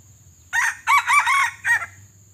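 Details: Pale red junglefowl with white legs, a decoy bird used to lure wild junglefowl during trapping, gives one loud crow in four bursts: a rough opening note, two long arched phrases, and a short clipped ending, over a faint steady hum.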